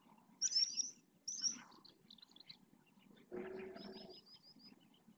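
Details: Purple swamphen parents calling their three chicks to be fed at a lagoon in the Riet Vell ornithological reserve, Ebro Delta: a brief harsh, nasal, buzzy burst about one second long, preceded and followed by thin high whistled notes from other birds.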